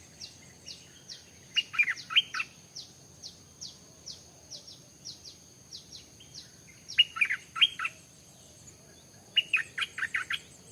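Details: Stripe-throated bulbul, recorded where a newly kept bird was brought to the forest and wild birds came close, giving short bright bubbly phrases of five or six notes, three bursts, against steady high, thin, down-slurred pips repeated about twice a second.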